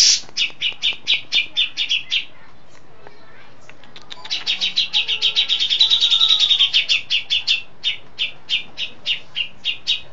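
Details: Grey-cheeked bulbul (cucak jenggot), a settled, frequently singing bird in long-shot song with fill-ins of besetan, lovebird, sparrow and cililin calls: fast runs of sharp high chips, a denser rapid burst mid-way, then spaced repeated notes.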